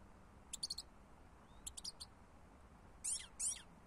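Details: European goldfinch song: two quick clusters of sharp, high tinkling chirps, followed by a pair of harsher, buzzy rasping notes, against steady faint background hiss.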